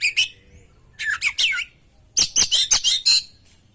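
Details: Kacer (oriental magpie-robin) in busy, constant song used to provoke singing: short bright bursts, then a rapid series of about eight loud whistled and harsh notes delivered at a quick, even pace.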